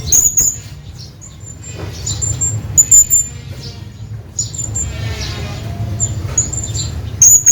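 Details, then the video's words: Hanging parrot calling to its companion: very high, thin, squeaky notes in short bursts near the start, around three seconds and at the end, with steady low rumbling background noise between them. "hanging parrot calling his friend"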